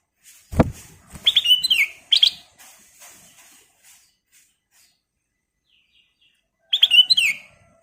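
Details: Sooty-headed bulbul (kutilang emas) in full, lively song: short bubbly whistled phrases with a sliding, falling tail, given in two bursts about five seconds apart after a low knock at the start.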